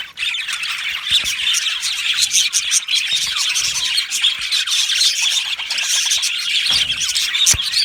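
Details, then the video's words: Many Australian budgerigars in an aviary colony chattering together: a steady wash of high chirps, squeaks and short squawks with a few sharp clicks. "Australian Budgie parrot sounds | Budgie parrot chirping sounds"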